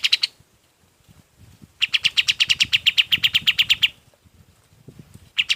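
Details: A golden-bellied gerygone sings as a tutor for other birds. It gives a two-second volley of rapid, sharp, high notes, with brief fragments before and after, over soft low background rumbling.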